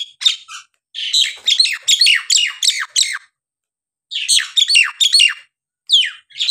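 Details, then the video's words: Loud Nias hill myna song used to provoke reluctant birds into singing again: two bouts of rapid, squawky, downslurred whistled notes tumbling one after another, with a brief pause between them. "jalak nias gacor!! buat terapi jalak nias bahan atau yg malas bunyi agar gacor kembali"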